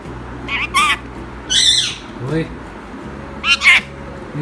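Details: Pet male Indian ringneck parrot that says "Assalam alaikum" in Urdu voices several clipped, harsh speech-like syllables in groups, while a man's low voice is heard briefly in the middle.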